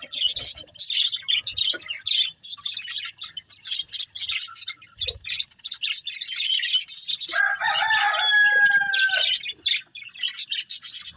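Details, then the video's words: Budgies chirping as they eat green food: bursts of high, rapid twitters with a stretch of clearer, sliding whistled notes around the eighth second. "Beautiful Budgies Enjoying Eating Green Food | Love Birds Chirping Sounds"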